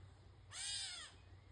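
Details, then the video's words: A catbird gives one harsh, nasal, cat-like mew that slurs downward and lasts about half a second, over a faint low hum. "Who needs a cat when you’ve got a catbird?"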